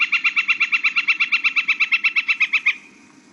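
Northern Flicker song: a rapid run of about twenty evenly spaced, same-pitched wick notes lasting nearly three seconds, over a faint low hum.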